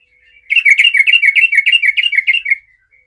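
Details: Yellow-vented bulbul in full song against rivals, used to get other bulbuls calling: two seconds of evenly spaced, gurgling notes rolling up and down in a rapid chatter, ending with a soft single note.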